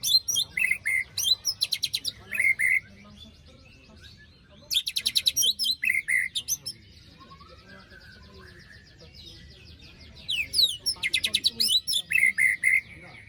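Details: White-rumped shama lure with harsh 'besetan' rasps, for birds that stopped singing after moult: bursts of rapid grating pulses and ringing whistles come in three bouts, with quiet gaps between.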